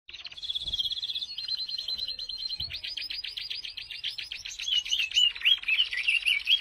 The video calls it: canary bird sound | canary singing